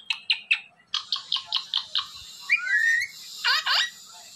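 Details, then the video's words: Pet talking parrot producing a quick run of about a dozen sharp clicking notes, a bright whistled glide, then two rough squawks. "The Best Talking Parrot"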